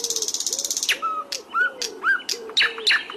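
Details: Hill blue flycatcher song played as a training recording to teach captive songbirds: a dry rapid ticking rattle, then a run of clear whistled notes, some low and slurred, others higher and sharply rising, with short bright chips between.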